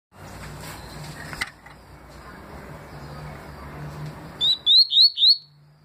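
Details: Papa-capim seedeater singing its tui style of song, recorded in 2020: after a stretch of low background hum, four bright, rising whistled notes come in quick, even succession near the end.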